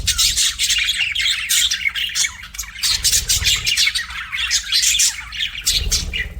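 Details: Pet budgies chirping in dense, continuous chatter: rapid scratchy squawks and bright high chirps overlapping, with short warbled phrases and a brief lull near the end.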